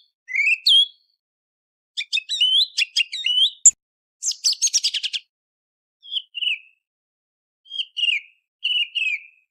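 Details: Song thrush singing before sunrise, for hunting: a whistled phrase, then a dense run of rapid, high, chattering notes and trills, closing with soft falling whistles repeated several times; clear, noise-free.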